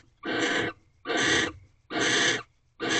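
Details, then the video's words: Mating barn owls calling from a nest box in the early hours of a March night. Evenly spaced harsh, hissing screams, about half a second long and roughly once every 0.8 seconds, with almost nothing else audible. "Barn Owls Mating 15th Night"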